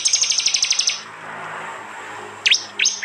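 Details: Prinia from East Java, recorded on an Android phone for a blended 'tembakan' songbird training track. It opens with a rapid, high, metallic trill lasting about one second, followed by quiet and then two sharp downslurred chirps.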